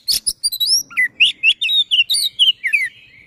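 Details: Sisinga-style caged white-rumped shama giving a rolling song: sharp opening notes, then a run of quick repeated slurred whistles, about two per second.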